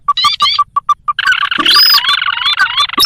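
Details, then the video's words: Sintar, a rice-field and swamp bird, in a lure recording for trapping wild sintar: a run of short evenly spaced notes, then a dense, loud chattering burst of rapid rising whistles and harsh squawks overlapping. "Suara pikat burung sintar"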